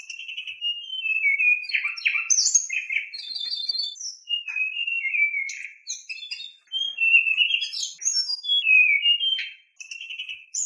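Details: Oriental magpie-robin singing a full song with harsh filler phrases, meant to stir other magpie-robins into lively singing. A steady stream of sliding whistles and rasping chips runs with barely a break, ending in a short gap.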